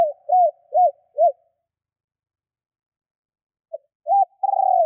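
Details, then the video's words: Female spotted dove calling to attract males, used as a lure bird: short hoarse coos near 600–800, a cluster of three arched notes, a pause, then a longer sustained note; silent background. "Chim cu gáy mái kích bổi/Cu gáy mái / Tiếng cu gáy mái"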